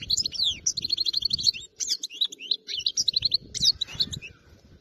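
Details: European goldfinch from area 86, caught wild, pours out dense bright twittering phrases of quick rising and falling chirps over a soft low background hum.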